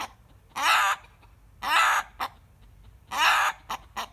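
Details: Rooster screaming in response to a hen's cackling, his usual habit: three harsh, grating cries, each followed by one or two short clipped notes, repeated about once a second.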